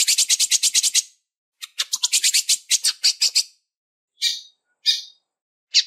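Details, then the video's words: Female lined seedeater calling and soliciting mating to stimulate males gives rapid runs of harsh, high chipping notes, about eight per second, then a few spaced single chips. "ESQUENTA BIGODINHO | Fêmea Piando e pedindo Gala !!!"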